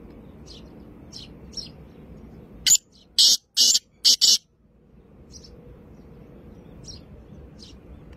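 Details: Black francolin (kala or Sindhi teetar), recorded 2-1-2024: one loud harsh phrase of five grating, broadband notes in quick succession, with faint thin chirps from other birds before and after over low background rumble.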